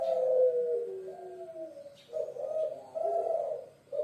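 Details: Indonesian puter pelung dove, a Javanese bird kept by people: clear falling coo notes followed by several raspy, throaty coos with short gaps between them, heard indoors.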